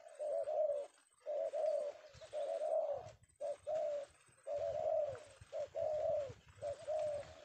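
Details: Captured male tekukur, or spotted dove, of the penguku style in Indonesia, cooing in paired phrases: a short note followed by a longer rolling coo, repeated about once a second with soft bumping noises beneath.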